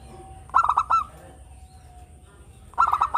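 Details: Local zebra dove, a frequent, sweet singer used to lure other birds, gives a quick burst of four or five clipped cooing notes, then a pause before the next burst starts.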